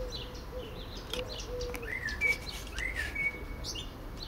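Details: Common blackbird on a favorite Lawson cypress, one singing as another listens; low, soft dove coos come first, followed by two swooping, mellow whistled blackbird phrases, with steady low background noise.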